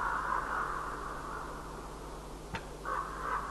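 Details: Common ravens calling to each other as the day begins, recorded 5 March 2012: a drawn-out hoarse croak, then a brief sharp click and two shorter croaks near the end, over a steady low hum.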